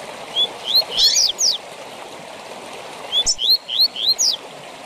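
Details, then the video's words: Tui tui zel zel song of the double-collared seedeater, used to teach captive birds: two bursts of upslurred whistles ending in steep falling high notes, separated by a pause, with a constant hissing background. "TUI TUI ZEL ZEL DE FIBRA TOP PARA ENCARTE DE COLEIROS E PAPACAPIM!!!"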